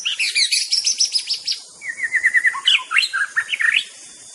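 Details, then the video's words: White-rumped shama singing a lively, varied song: rapid high chirps and trills, then a run of evenly repeated clear notes, then swooping whistled phrases. A steady high hiss sits underneath. "bird nature sound murai batu"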